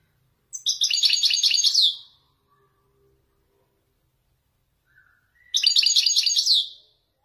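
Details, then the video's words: Wedani European goldfinch, a Moroccan male trained to sing, repeating Marrakchi descending phrases: two loud bursts of fast, rattling, high twitter, each lasting over a second and ending in a downward sweep, separated by roughly four seconds of quiet. "حسون ويداني يتفنن بالنزولات المراكشية الأصيلة"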